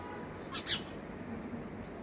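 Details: House sparrow at its home calling with two quick, loud chirps in close succession, the second stronger, followed by steady background hiss.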